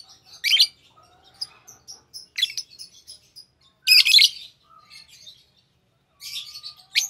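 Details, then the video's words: Pair of green Fischer's lovebirds; intermittent loud raspy chirps separated by quieter twittering and brief silences, high-pitched throughout. "Lovebird Singing & Chirping Sounds - Green Fischer Pair"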